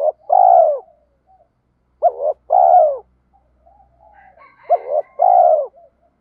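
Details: Spotted dove decoy call, from a recording of male and female birds used to provoke wild males to sing and fight: three pairs of deep coos, each a short rising note then a longer slurred falling one, clean background.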